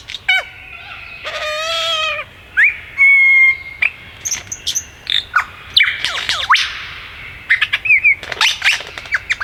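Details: Rich, rapidly changing song of a wild male superb lyrebird flitting between trees in the Dandenong Ranges, Melbourne: layered whistles, a rapid rattling trill, clear ringing notes and a string of loud sharp chips and swoops.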